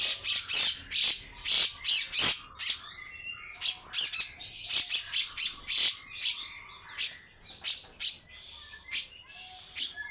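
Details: Long harsh besetan series from a grey-cheeked bulbul: dry rasping notes in quick, irregular runs, with thin whistles in the gaps and a quieter stretch midway.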